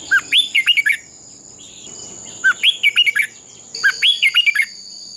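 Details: Three bright phrases of bouncy, rising and falling whistles from a red-whiskered bulbul practising its fighting song, each lasting under a second, spaced about two seconds apart, over a steady high hum.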